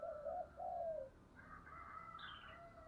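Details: Spotted dove singing in the special 'giọng thổ' voice style: two low, smooth cooing notes, the second longer and slightly falling, followed by fainter chattering of other birds in the background.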